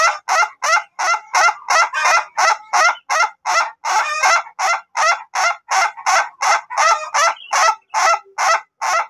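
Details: Long-duration type Ayam Ketawa laughing chicken being trained to crow at length: sustained string of bright, regularly spaced laughing syllables, about three per second, with a few denser overlapping bursts along the way.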